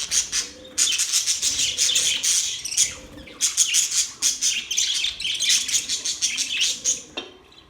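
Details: Budgies singing: a busy stream of high, buzzy chirps and squeaky warbles overlapping almost without break, with a short gap near the start and fading at the end.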